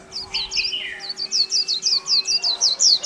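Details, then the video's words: Recently caged white-eye, in captivity just over a month, in chẹo là líu song: a fast, unbroken chain of thin, high, slurred chirps, preceded by a few lower buzzy notes, over a steady faint hum. "chim khyên víp mộc hơn tháng lồng cheo là líu hàng tuển"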